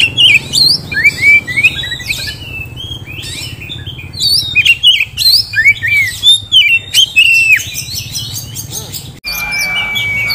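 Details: A caged Oriental magpie-robin, offered as a promising contest bird, sings lively phrases of swooping whistles and crisp chirps about three times a second, ending with one long steady whistled note.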